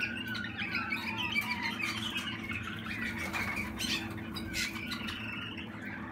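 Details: Young Waterslager canary from 2020 singing a continuous warbling, rolling song of rapid notes, over a constant low room hum.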